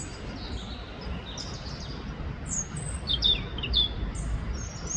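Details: European robin (Erithacus rubecula) calling in the Ljubljana Botanical Garden, Slovenia, on 18 October 2024: thin, high, sparse notes, some short and sliding, scattered over a steady low rumble of distant traffic.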